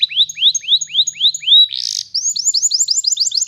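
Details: Canary song for teaching young birds: evenly repeated rising-falling whistled notes, a brief harsh buzz, then a quick series of high chirps.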